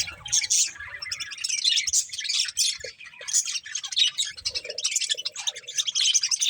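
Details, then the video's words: Budgerigars eating corn give rapid, piercing chirps and squeaky chatter in steady bursts, with brief soft clicks and pecking noises among the calls. "Cute Budgies Enjoying Eating Corn | Love Birds Chirping Sounds"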